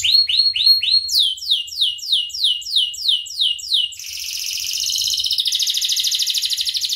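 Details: Canary song used to teach other birds: quick repeated whistles, then a steady series of loud down-slurred notes about three per second, ending in a high pulsing trill.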